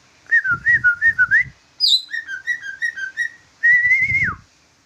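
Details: Caged large greater green leafbird singing in bulbul fashion: wavering whistled phrases, a high descending slur, then a long sustained whistle that drops at the end, with dull knocking underneath.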